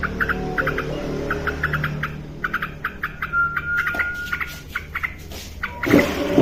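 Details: Yellow-vented bulbul, described as active and vocal, recorded to tutor other birds. Short repeated note clusters run through the clip, with a long steady whistle in the middle and a loud clatter at the end.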